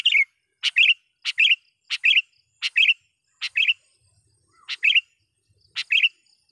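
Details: Sooty-headed bulbul in full voice, calling a rival and luring wild bulbuls: short bright chirps, each a sharp click followed by a quick warbled double note, repeated roughly every second against silence.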